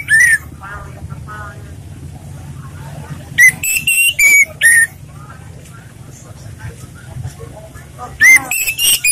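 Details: Orange-headed thrush singing in a relaxed style, used as a lure for training other birds: three bursts of loud, clear whistled phrases with fluttering, rising-and-falling notes, separated by pauses, over steady background talk from a television or radio.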